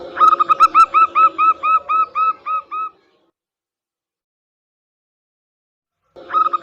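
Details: Lure song of a local zebra dove, meant to get quiet or new caged birds singing: about fourteen rhythmic cooing notes slowing and fading over three seconds, silence, then the series starting again.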